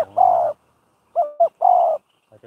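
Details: Spotted dove used as a decoy in trapping, with training for decoy-pen trapping. A dove gives a mellow mid-pitched cooing phrase: a wavering double coo, then a longer steady coo, with a few faint cut-off notes around it.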